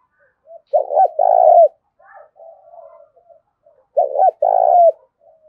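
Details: Decoy spotted dove with a big, fine Thổ Đồng-style voice coos twice, three seconds apart, each a choppy start and drawn-out falling note, with soft murmured notes between.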